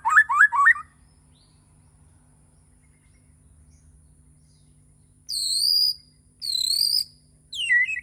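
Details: White-rumped shama (Borneo) singing in the morning: a quick run of descending slurred notes, a pause, then three loud high whistled phrases with a sharp clipped note at the end.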